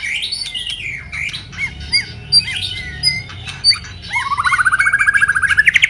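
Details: White-rumped shama, moulting, opens with a string of separate sharp whistled notes and chips, then launches into a rapid rattling trill that climbs steadily in pitch, the 'kéo thuốc lào' style.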